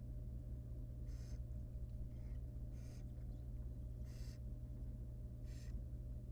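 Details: Wild barn owl at its nest, where the female laid four eggs and three hatched. The fourth failed, and she removes and eats the dead nestling. Four breathy, hissing screech bursts sound about a second apart over a steady low electrical hum.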